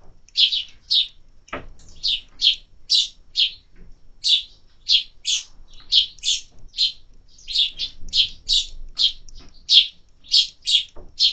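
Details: Busy high chirping from sparrows at a feeder in summer, notes tumbling in quick succession with a single low knock early on.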